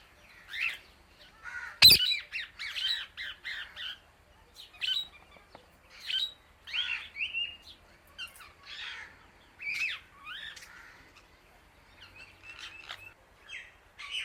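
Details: Indian ringneck parrot chirping loudly to other birds: one sharp explosive squawk early on, followed by repeated bursts of harsh, bent chirps and short squawks separated by brief pauses.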